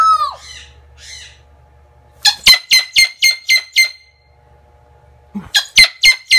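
A Moluccan cockatoo gives loud, harsh screeches in two bursts, six rapid calls and then four more, after a few softer squawks at the start.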